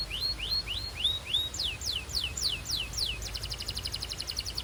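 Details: Belgian canary singing as it warms up: a string of rising whistled slurs, then steeper falling sweeps about every third of a second, ending in a fast, buzzy rattle of repeated notes over a hissy background.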